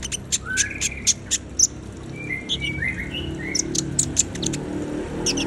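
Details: Brown-throated sunbird (konin) singing lively: sharp high chirps scattered across the clip, mixed with short slurred whistles that dip and rise in the middle, over a low background hum.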